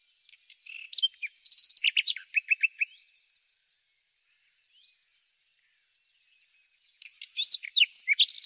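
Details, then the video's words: Springtime common nightingale song: a varied phrase of whistles and rapid chattering notes, roughly three seconds of near silence, then another sharp, jumbled phrase of rising and falling notes. "El Ruiseñor común - El canto más bello de la naturaleza"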